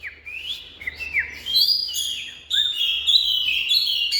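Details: Oriental magpie-robin delivering a continuous stream of bright, high warbled whistles with upward slides, growing louder midway, over a faint low hum.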